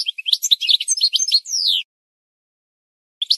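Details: Goldfinch singing, played as a tutor song for birds to learn. A fast, dense twittering phrase of jumbled high chirps ends in a long buzzy descending slur. After a pause, the song starts again.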